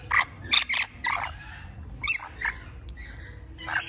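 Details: Rainbow lorikeet giving short, harsh, broadband screeches in quick bursts, several close together near the start and more scattered later, over a faint low background hum.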